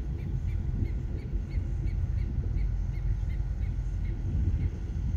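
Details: Endangered Hawaiian stilt on Maui, February 9, 2024, giving a series of thin, clipped, regularly repeated notes, softer and more distant, almost buried under strong low-pitched wind and surf roar.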